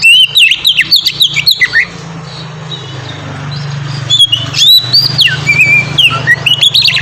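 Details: White-rumped shama in the clear-ringing ngeplong style, used as a lure to set other shamas singing: loud, sweet whistled notes and rapid chirps, a quieter stretch midway, then further bright rising and falling whistles.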